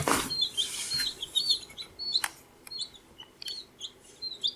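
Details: Baby chicks at 14 days old give high, quick peeping chirps in an irregular stream, several overlapping, opening with a burst of rustling noise and punctuated by sharp taps.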